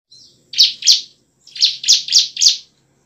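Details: Bar-winged prinia singing energetically in the ngebren and nembak style, a lure for lazy birds: after a faint note, two loud buzzy rasping bursts, a pause, then four more in quick succession, high-pitched and harsh.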